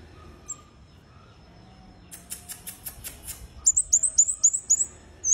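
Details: Red-headed bunting in energetic gacor song. A dry rattle of rapid clicking notes leads into a quick string of very high, sharp, repeated chirps, about ten in two seconds, over a quiet background.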